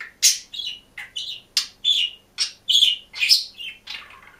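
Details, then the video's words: Budgerigar kept alone in a cage, chirping and warbling in a fast run of loud, bright, clipped notes, roughly two to three per second, some buzzy, some whistled. "МИЛЫЙ И ЗАБАВНЫЙ ПОПУГАЙ ПОЕТ И ЧИРИКАЕТ"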